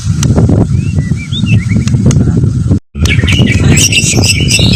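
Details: A fighter white-rumped shama starts with faint wavering whistles, then after a short gap bursts into loud, rapid, high chattering phrases over low-pitched background rumble.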